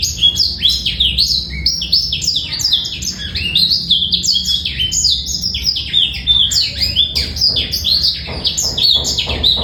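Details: Male black-throated canary song used as a master recording for training young birds, described as clear without rattling trills: a dense, continuous stream of high twittering notes, rapid down-slurred and rising chirps overlapping for nearly ten seconds.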